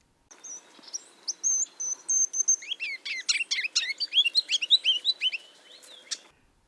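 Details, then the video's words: Ruby-crowned Kinglet song, remembered as see-see-see, tu-tu-tu, tidadee-tidadee-tidadee: thin high see-see notes, then lower tu-tu notes, building into a loud rapid run of rolling tidadee phrases. "I remember the song as sounding like see-see-see, tu-tu-tu, tidadee-tidadee-tidadee"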